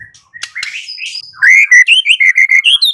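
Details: Song of a white-rumped shama played as a lure to make a bird respond: a few soft chirps, then loud clear whistled notes repeated rapidly, each slightly shifting in pitch.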